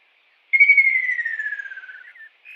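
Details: A single long descending trill from a kingfisher in the wild, a rapid pulsed whistle gliding steadily downward for about one and a half seconds, followed by a brief softer note.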